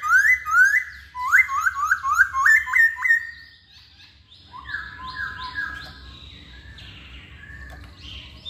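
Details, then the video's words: Hwamei song in rich whistled phrases: a quick sequence of bright downslurred and upslurred notes repeated rapidly for three seconds, followed by softer, higher twittering notes over low background hum. "Kicauan Poksay Hongkong"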